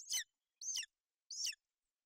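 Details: At a Bucovina golden eagle nest on 28 May 2021, the female broods her chick in inclement weather. Three shrill, sharply descending chirps sound, spaced a little over half a second apart.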